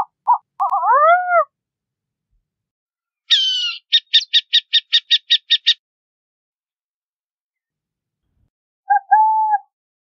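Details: Burrowing owl (Athene cunicularia): a few short notes lead into a rising, slurred harsh call. After a pause comes a rapid, even chatter of about ten high, clipped notes. A brief mid-pitched note ends the sequence.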